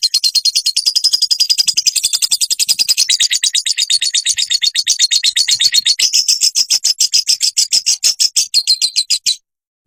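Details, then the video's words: Olive-backed sunbird song used as a training recording to get caged sunbirds singing: a dense, rapid run of high, sharp chirping notes repeated without a break for about nine seconds, slightly slowing toward the end. "burung sogonmu ikutan gacor dan ngeleper"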